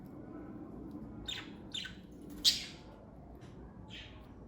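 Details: A few separate, sharp chirps from pet parakeets of one family, spaced about half a second apart, with one louder, piercing note in the middle, against quiet room hum.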